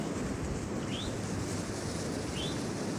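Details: Eastern Towhee heard at a parking lot in Massachusetts on a freezing, snowy winter day gives two brief, rising, slurred call notes about a second and a half apart, fairly faint against steady wind and low rumble.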